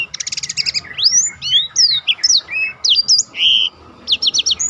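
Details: Black-throated canary in rolling song, used for tutoring contest birds, opening with a fast trilled series and continuing into long rising and falling whistled slurs, then a brisk closing trill.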